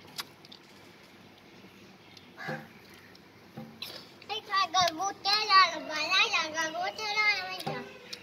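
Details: A Kashmiri ringneck parakeet chatters in a speech-like way, with warbling, wavering phrases over the last three seconds. Quiet clicks and distant voices are heard before.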